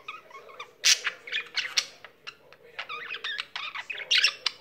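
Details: Pet budgerigar keeps singing, a quieter stream of scratchy chirps, squeaks and clicks broken by a few louder buzzy notes.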